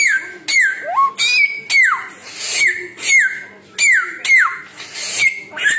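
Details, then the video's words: Repeated downslurred whistles from a Samyong bird, roughly one per second, broken by an upward-sweeping note and scratchy noisy bursts. "burung samyong 1001 suara"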